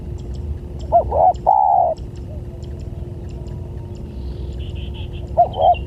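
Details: Spotted dove coos used as a lure to attract other doves: two short hooted notes followed by a longer, level, drawn-out coo, then a fresh phrase starting near the end, over steady low background hum.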